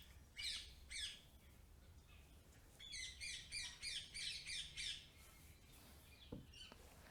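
A rose-ringed parakeet gives harsh, grating screeches: two at first, then a quick run of about eight, all fairly distant over faint background hum.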